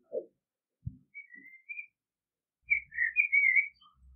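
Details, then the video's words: Common blackbird singing soft whistled notes, then a fuller burst of warbled, slurred flute-like phrases, with a few low thuds and handling knocks in the background. "Blackbird sound, Karabakal Sesi, Kara Tavuk Sesi"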